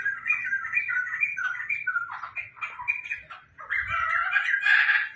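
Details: Laughingthrush (poksai), a tame bird singing busily in a house: fluent whistled and warbled phrases roll on steadily, then break into louder, harsher squawking notes toward the end.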